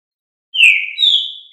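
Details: Green-winged saltator of the Fibra song style, a Brazilian songbird, giving two clear whistled notes, the first slurring down, the second a long steady higher whistle, in silence.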